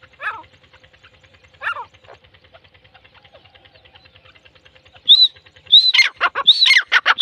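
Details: Grey francolin (teetar): two faint distant notes early, then the loud call bursts in near the end with ringing, arched notes and harsh rapid notes in quick succession.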